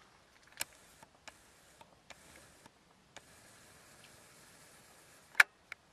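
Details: Quiet indoor room tone broken by scattered mechanical ticks and clicks, with one louder sharp click near the end; no animal sound heard.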